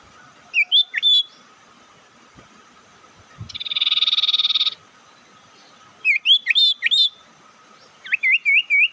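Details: Bird lure call meant to provoke rival birds: short series of rising whistled chirps near the start and end, with a harsh buzzy burst lasting about a second in the middle, over a steady faint hum.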